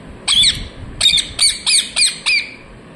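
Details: Parrot chirping: six harsh, raspy squawking notes in quick succession, each a short burst with a bent, buzzy tone, spaced roughly a third of a second apart, against a quiet background.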